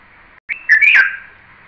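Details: Red-vented bulbul: a short bright note, then a loud bubbly two-part whistled phrase with a quick rising-falling twist, over a steady hiss.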